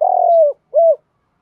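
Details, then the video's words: Spotted dove cooing, male and female, a call used to excite training doves into calling: a long low steady coo that falls slightly at its end, then a short arched coo after a brief pause. "tiếng chim cu gáy kích bổi nhanh gáy"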